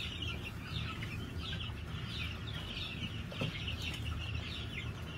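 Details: Continuous chatter of many New Hampshire chickens on a farm, recorded 22 March 2021: overlapping thin, high peeping and clucking notes over a steady low drone.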